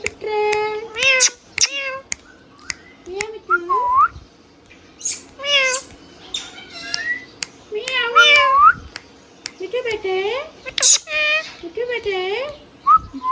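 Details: Hand-tame talking green ringneck parrot repeating many nasal, cat-like meow imitations and short word-like syllables, each rising then falling, interspersed with high sharp squeaks, almost continuously indoors.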